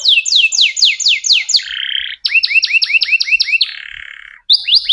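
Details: Canary singing loudly: rapid repeated falling whistled notes, then a buzzy rolling trill, another series of quick slurred notes and a second trill, a brief break, then more fast whistles.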